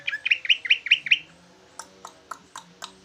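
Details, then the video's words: Big leafbird in lively song resembling a trucukan: five quick rich chirps rising in pitch, followed by a slower series of thin sharp ticks spaced about a quarter second apart. "Ci ijo jumbo rasa trucukan ngoceh"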